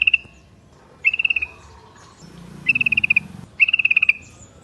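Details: Yellow-vented bulbul lure song: four bubbly phrases of fast, evenly spaced notes delivered roughly once a second, with a faint low rumble beneath the middle part.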